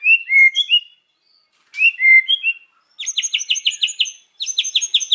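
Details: Afternoon singing of a white-rumped shama with hard learned phrases: twice a pair of sweet falling whistles, then two fast runs of sharp repeated ringing notes separated by short silences.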